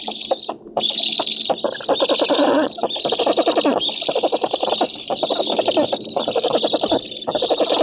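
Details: Black storks at a nest in an oak in Poland, 7 August 2018, on a nest camera, competing for fish. Harsh, rasping pulsed calls in fast rhythmic bursts, with brief gaps and some quieter stretches between outbursts.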